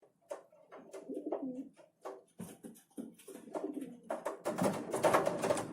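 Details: Urban pigeons in winter in Ukraine, competing for food at a feeder: low, throaty coo-like bursts repeating about two to three times a second, mixed with clicks and scuffling.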